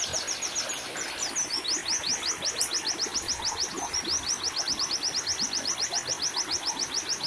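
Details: Therapy recording of a white-eye for captive birds: a long string of rapid, high, thin downward slurs with brief varied twitters near the start, all over a steady watery hiss.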